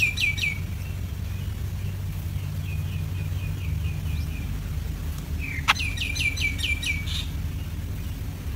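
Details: Baby yellow-vented bulbul during an ant attack: short clusters of high, downward-slurred chirps, a burst at the start and another after a sharp click, with fainter notes between, over a steady low rumble.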